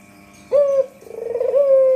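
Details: Lure call of a white Barbary dove: a brief level coo, then a purring, pulsed coo that builds in loudness and smooths into a sustained hoot.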